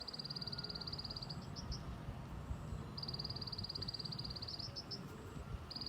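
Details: White-eye giving a 'tành tạch' song: rapid, even trains of high ticking notes lasting over a second, repeated twice with short fragments between, over a steady low rumble.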